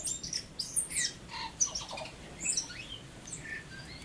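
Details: Tui, a native New Zealand bird, singing: scattered high clicks and short sliding whistles over a low background hiss, with soft pauses between phrases.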